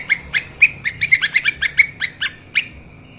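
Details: Lesser green leafbird (cucak ijo mini) giving a training master song in the narung style. A fast run of crisp, clipped chirps comes at an even pace, then ends in one longer rising note that trails off.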